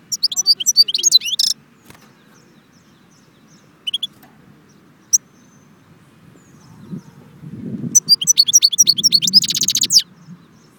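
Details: Goldfinch singing at Jbel Wahch near Constantine, Algeria: two bursts of rapid, high twittering trills separated by quiet gaps with a few isolated chips, against a low rumbling background.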